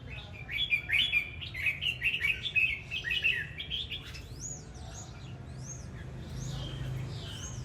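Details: Red-whiskered bulbul singing and displaying: a run of short warbled, chirpy phrases over about four seconds, then thinner high rising-falling whistles from another bird against faint background noise.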